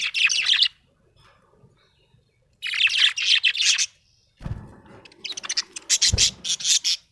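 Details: Happy budgerigar chirping: dense bursts of scratchy, high-pitched chattering chirps, each lasting about a second, repeated after short pauses, with a soft thump near the end.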